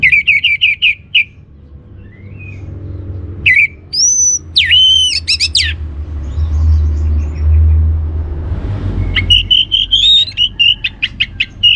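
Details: Orange-headed thrush song used as a lure to make other birds sing: rapid trilled notes, then a gap of low rumbling hum before loud, varied whistled phrases and quick repeated chirps.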